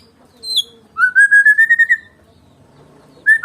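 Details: Medan-type white-rumped shama, singing with no rival bird: a short high note, then a loud, steadily rising run of rapid whistled notes, and another whistle at the end.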